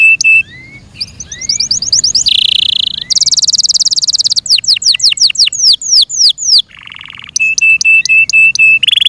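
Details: Yorkshire canary kept at home singing: steady high piping notes, a buzzy roll, rapid descending whistles, then a lower rattling trill and evenly repeated sharp chips.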